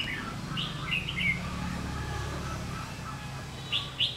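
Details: Red-whiskered bulbul used as a decoy in bird trapping, singing to provoke fighting, recorded 27 August 2019; short bright warbled phrases in two bursts, first near the start and again at the end, over a steady low rumble of background noise.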